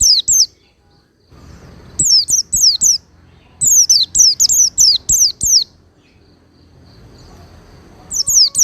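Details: Oriental white-eye singing as a master recording for cage-bird training, smooth yet strong. Short runs of sharp, high, falling whistled notes, delivered quickly in bursts of three to seven, with brief quiet gaps and soft background rumble.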